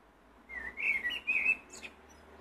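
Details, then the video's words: Singing blackbird: a short run of clear whistled notes that slide and waver, followed by a brief high thin squeak at the end. "Black bird singing"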